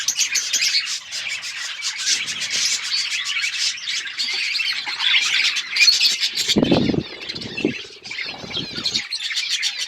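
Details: Flock of budgies in an outdoor aviary, called wild budgies, chattering nonstop: busy high chirps and squawky warbles layered densely, broken near the end by a couple of low muffled thuds and rustles.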